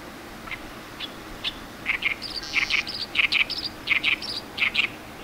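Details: Oriental reed warbler singing loudly in reeds at a lotus-field edge in Iwakuni, Japan, 10 May 2018, about a month after arriving, in territorial disputes: harsh grating chattering notes in rapid paired bursts, growing louder, with steady background hiss.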